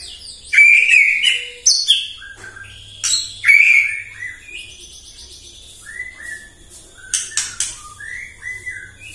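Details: White-rumped shama morning lure song to agitate other shamas: loud rich whistled phrases with sharp high accents in the first half, then quieter short whistles and clicks spaced out.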